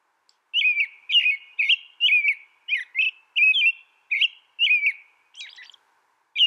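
An American robin sings a quick run of about nine clear, warbled caroling phrases, roughly two per second, ending in a higher, scratchy note. The background is quiet.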